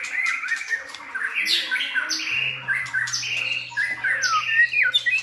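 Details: White-rumped shamas used to train another shama in varied song; looping whistled phrases with high swooping notes and warbling, repeated in lively bursts, over a faint low hum.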